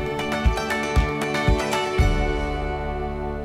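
Soft instrumental music with plucked guitar-like notes and a steady beat, and no animal voices.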